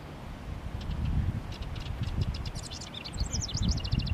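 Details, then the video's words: Male house wren singing to mark its territory by a honeysuckle-covered fence and bushes on a sunny 19 °C day around Mother's Day; a rapid bubbly run of high chattering notes starts midway over steady low rumbling background noise. "House Wren Singing, Thus Marking Its Territory Too"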